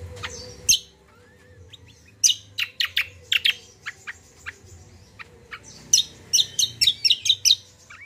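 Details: Common iora singing strongly, meant as a lure for young captive birds: scattered sharp chirps, then rapid clusters of high clipped notes, the last burst fast and repeated, over a faint low hum.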